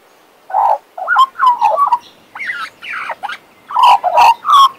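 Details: A pet male Western Australian magpie gives soft, burbling warbles that build into louder, fluting notes, with quick chattering fragments and rising slurs.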